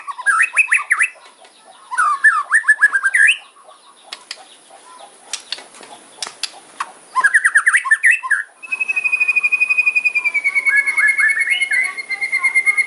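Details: White-rumped shama in hard kretekan fighter song, meant to provoke rivals: bursts of rapid looping whistles separated by pauses with scattered clicks, then a long steady trill of fast repeated notes.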